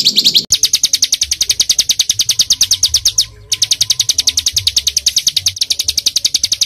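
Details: Tightly packed song of a small bird recorded as training material for kept songbirds: a long, fast, even trill of high notes, briefly interrupted once, continuing steadily to the end.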